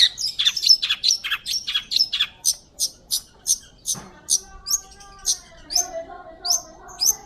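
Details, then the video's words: Chattering long-tailed shrike, recorded as clear master material for magpie-robins: a dense string of scratchy high notes, then evenly spaced sharp ticks roughly every half second over faint lower tonal hums. "PENTET GACOR,,SUARA JERNIH COCOK BUAT MASTERAN BURUNG MURAI BATU"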